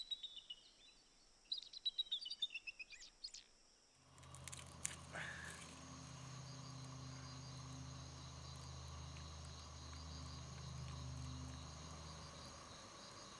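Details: Red-winged Blackbird in the swamplands of Georgia's Altamaha River Basin: sharp, high chirps and whistled notes fill the opening seconds (a viewer suggests another call is a Bald Eagle), then a steady low droning hum takes over and buries them.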